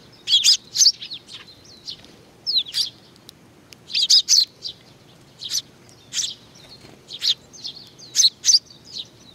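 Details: Sparrows coming to be fed at Tenmangu shrine in Nakanoshima on 21 June 2020 give sharp high chirps in uneven pairs and triplets, some with a short rising inflection.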